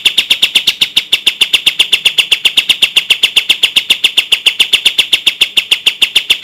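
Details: Bulbul song in the tembak style, prepared as a tutor recording for training caged songbirds: a dense, steady burst of sharp, high clipped notes repeated about six times a second without a break.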